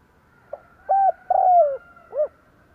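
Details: Spotted dove used as a lure bird to attract wild doves, giving its cooing call: a short soft note, then two longer mellow hooting coos, the second sliding downward, and a final rounded coo, in a quiet setting.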